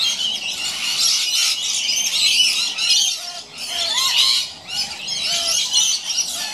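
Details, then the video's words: Two scaly-breasted lorikeets playing or fighting in a gum tree: continuous harsh, high screeching and rasping squawks overlapping, with brief dips and short lower chattering notes between bursts. "Scaly Breasted Lorikeets Playing"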